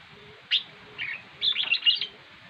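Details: Red-whiskered bulbul singing: a short bright note, then a soft warble and a rapid run of clear, lively chirping phrases, with a quiet background.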